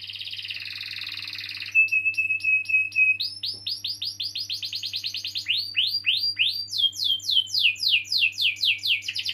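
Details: Canary in full, long rolling song, used as a lure to get young canaries or ones that have stopped singing to sing: a buzzy high trill, then a steady rolled note, then rapid rising chip series and fast descending sweeps, with a faint low hum.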